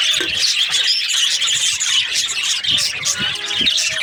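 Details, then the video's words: A group of happy budgerigars in breeding season chirp and squeak continuously, bright high twittering overlaid with a few soft low thumps. "Happy budgies chirping sounds | breeding season"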